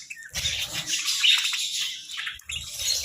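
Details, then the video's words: Budgerigars in the sun give a brief burst of dense, hissy warbling chatter, fading and returning, over faint low knocking. "Sunbathing Budgies"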